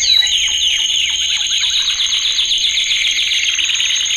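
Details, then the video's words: Male canary training song: quick descending chirps at the start give way to a dense, steady rolling trill, with a thin high whistle held throughout. "Kanarya Eğitim Sesi Erkek / Kanarya Eğitim Ötüşü / Yüksek Kanarya Sesi"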